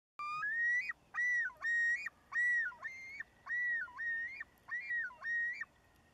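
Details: Male loon yodeling at Nevis, Minnesota, recorded from far away: a rising opening note, then about nine repeated looping, wavering whistled phrases, each swooping up and dipping, roughly two per second.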